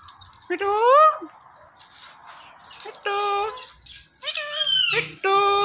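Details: An Indian ringneck parakeet says "Mitthu" in a nasal, rising voice, then gives several more word-like syllables, some sliding upward, over a faint background hiss.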